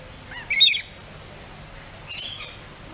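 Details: Captive pet rainbow lorikeets calling. A loud, buzzy, shrill screech is followed about a second and a half later by a softer, drawn-out high squawk.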